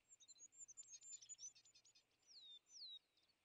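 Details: European greenfinch near a winter feeder, a species that chases away tits, sparrows and nuthatches; quick twittering notes run into drawn-out descending whistles, fairly faint over steady background hiss.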